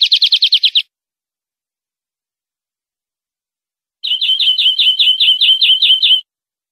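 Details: European greenfinch tutor recording for captive birds, opening with a fast rattling burst of rapid notes, then a pause, then a longer even trill of about a dozen quick whistled notes.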